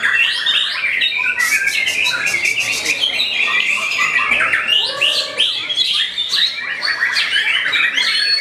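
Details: White-rumped shama pushing back at a rival, singing a long, energetic stream of repeated clicking ticks, ringing whistles and scratchy chatter that never pauses.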